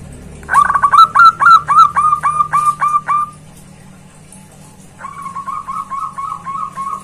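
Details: A zebra dove calling a rival gives a loud series of clipped, downward-hooked notes about four per second, then pauses. A fainter, similar series follows.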